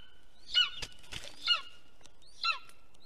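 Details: Golden eagle at a nest in Estonia, 2021, filmed on a nest camera: three high, downslurred yelping calls about one second apart, mixed with loud clicks and rustling from the nest.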